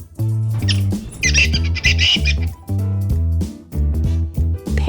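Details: Parrot giving a burst of harsh, raspy squawks lasting about a second, set over steady looping children's music with a few spoken words.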